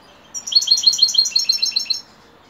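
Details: European goldfinch in evening song, one continuous burst of about one and a half seconds of fast, high, liquid twitters and tinkling notes, densely packed and evenly loud, against a quiet background.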